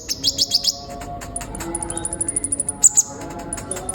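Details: Sunbird song used as training audio to spur other songbirds to sing: dense high chirps, a rapid run of bright notes near the start, then a long series of thin, evenly spaced high ticks and a brief sharp whistle.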